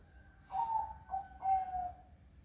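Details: Mellow cooing of a zebra dove in morning fog: a phrase of three whistled coos, the last longest and gently falling, set against a calm, low-noise background.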